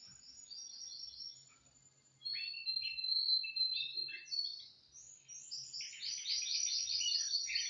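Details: On a Thursday morning, 18 December 2025, one of two canaries practises singing: a high warbling phrase, a quiet gap, then varied chirped and whistled notes running into a fast, buzzy rolling trill to the end.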